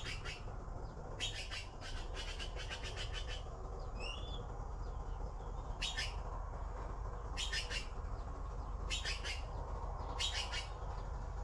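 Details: Blue magpie chicks waiting for their parent to bring food repeat rasping, buzzy chatter bursts of several fast notes each, with a couple of thin rising whistles in between and low background noise.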